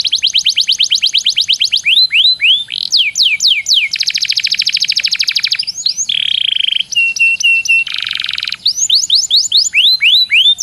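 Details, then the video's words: Master recording of canary song for training contest birds: fast upswept chip series, rapid high trills, short flat whistled notes, and broad buzzy rolls, changing abruptly every second or two. "Suara masteran burung kenari yg di sukai para jurii bikin kenarimu jadi juara..!!"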